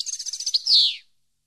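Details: European goldfinch song for training captive birds: a quick series of high pulsed tinkling notes followed by a loud harsh buzzy note sliding downward.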